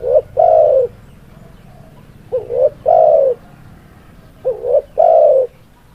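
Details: Tekukur, the spotted dove, singing: a phrase ending as the recording opens, then two full phrases about two seconds apart, each a brief quavering double coo followed by a longer, smooth, low coo, with a soft rumbling background.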